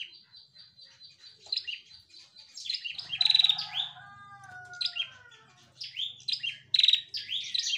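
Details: A female bar-winged prinia, an energetic singer, gives rapid bursts of high, sharp, chattering chirps, used as master lure audio to provoke song; a lower, wavering tone and faint hum sit briefly underneath mid-way.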